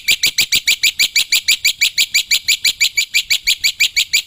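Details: Wild black-winged myna, recorded for luring birds, giving a steady stream of loud clipped chirps repeated roughly three times a second with a rich, high metallic ring.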